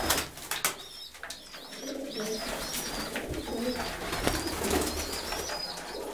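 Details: Homing pigeons calling: a steady run of high, thin, arched peeping whistles, about two a second, over low cooing and scattered clatter and flutters.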